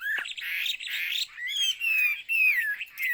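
A Chinese hwamei opens with a harsh, scratchy burst, then sings a run of loud, clear whistles that slide downward, repeated about every half second.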